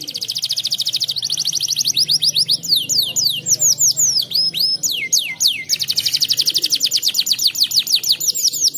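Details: Nonstop canary singing: a fast buzzy trill opens, followed by swooping whistled notes, then another long rapid trill and further sweeps; low steady hum in the background.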